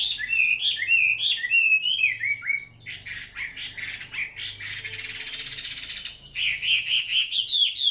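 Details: Caged, fully tame Chinese hwamei practising its song: quick, varied whistled phrases, a stretch of harsh buzzy chatter in the middle, then bright repeated whistles resuming; a low hum sits in the background.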